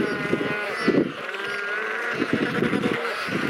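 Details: Royal penguins on sub-Antarctic Macquarie Island give harsh, bleating brays with pulsing, throaty harmonics, several birds seemingly calling over one another in a steady colony din.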